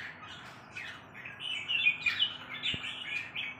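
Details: Red-whiskered bulbul delivering a lively, bubbly run of chattering, warbled notes that grows louder midway and continues rapidly, with a faint low hum and a single sharp click in the background.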